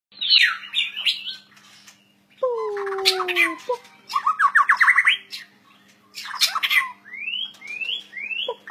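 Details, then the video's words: White-rumped shama singing a loud, varied 'gacor' song: rapid downslurred whistles, a long descending double whistle, then fast ladders of rising notes and upward-swept whistles, in bursts separated by short pauses; faint steady hum underneath. "murai batu gacor owor owor"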